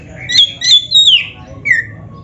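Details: Oriental magpie-robin, black-breasted type, singing as a lure for caged birds: a few harsh, overlapping high notes, then a long falling whistle and a short lower slurred note, faint low background hum.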